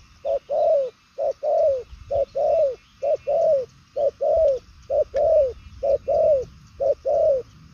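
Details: Purple-legged 'đồng son' spotted dove cooing in the 'nước xa' style. Very regular short-then-long coo pairs come quickly, about seven in a row, with little background sound.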